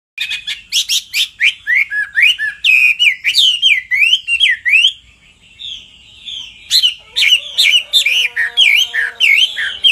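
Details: Hwamei song, a female's repeated calls rousing the male to sing: loud, rich run of varied whistled notes with rapid up-and-down slurs, a short pause near five seconds, then dense phrases again alongside a lower, steady, drawn-out tone.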